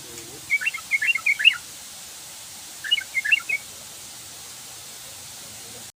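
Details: Trucukan singing in ropelan style: two short phrases of bubbly, chattering whistled notes, each about one second long, three seconds apart, over steady background hiss.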